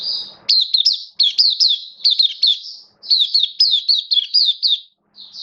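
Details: Caged oriental white-eye singing, 11 September 2022: clean, high, sharply inflected chirps repeated in tight runs of four or five notes, with short silent breaks between runs; very quiet background.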